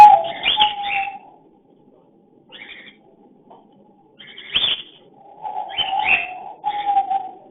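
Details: Cockatiel mating call during breeding, filmed on a hidden camera: steady mid-pitched whistled notes mixed with harsh, scratchy chirps in short bursts, with quiet pauses between.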